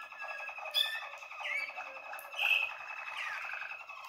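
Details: Song of a young Waterslager canary from 2020, taped in January 2021: dense, water-like rolling notes carried continuously, punctuated by a few clear upward-sliding whistles.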